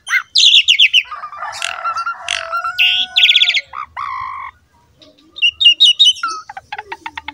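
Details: Asian pied starling song used to lure other starlings into singing: a loud, varied medley of harsh squawks, buzzy rattles, rapid chattering bursts and clear whistled notes, with brief pauses between phrases.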